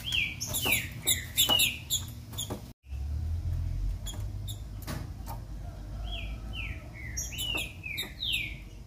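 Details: Female green-winged saltator song used to stir a male to sing: clear descending whistled slurs, a brief run early then a steady series of five or six, over clicking noises and a low background hum.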